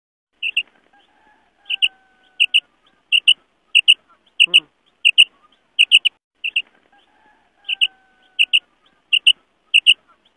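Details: Female quail call from Pakistan, used as a hunting lure to attract males: paired and tripled short high chirps in quick bursts, repeated roughly every second, with faint whistled tones in the background.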